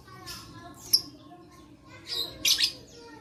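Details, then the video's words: Lovebird voice meant to stir silent lovebirds to sing, recorded 11/4/21; two groups of piercing, harsh chirps separated by about a second of soft chatter. "Terapi Lovebird Malas Bunyi Cocok Untuk Memancing Bunyi Semua Love Bird"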